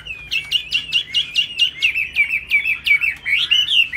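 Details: A laughingthrush in a cage pours out high song with its tail flapping, a rapid string of short sharp whistled notes repeated about four times a second, ending in a longer upward-curling phrase.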